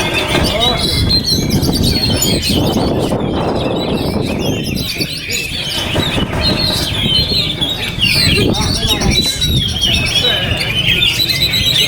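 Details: Owned Oriental magpie-robin singing in strong wind. High whistled and twittering phrases carry on steadily while heavy gusts of wind roar loudly underneath, strongest around the middle.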